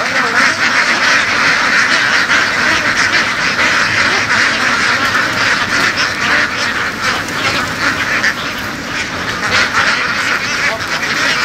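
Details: Flock of laying ducks driven across farm fields in western Vietnam, dozens calling together in rapid, irregular bursts of hoarse quacks, roughly three or four per second blending into a loud din.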